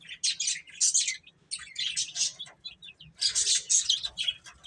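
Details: Chicks eating and playing give three loud bursts of piercing, overlapping chirps separated by short pauses, with a few thin single peeps between them.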